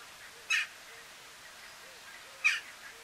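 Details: A grey heron (Ardea cinerea cinerea) in Strijen, Netherlands, in February 2018 gives two harsh, rasping croaks about two seconds apart, each short and abrupt, against a quiet background.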